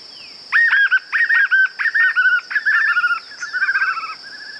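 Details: Song of the white-eared puffbird: a long run of rapid, choppy mid-pitched notes grouped in short bursts, gradually fading into softer notes, backed by a continuous high whine.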